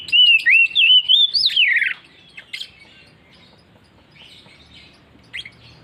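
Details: Oriental magpie-robin sings insistently in ngeplong fashion: a loud string of looping whistled slurs that rises, then drops into a rough descending buzz, followed by scattered soft chips and one short sharp note.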